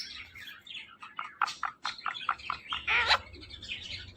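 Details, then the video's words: Pet talking parrot giving rapid bursts of short, bright chirps and squawks, roughly eight in four seconds, ending in a longer, noisier rising squawk; no clear words heard. "Talking Parrot"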